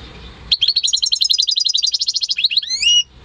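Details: Home-bred European goldfinch × canary hybrid, recorded in May 2015, singing a rapid high trill of about twenty sharp repeated notes over two and a half seconds, ending in a few rising slurred whistles; faint low background hum.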